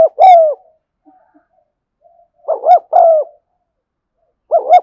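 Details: An afternoon recording of a spotted dove's continuous 'thúc gù' cooing, the phrases spaced irregularly: a long falling coo, a pause with faint soft notes, then paired short-and-long coos near the middle and end.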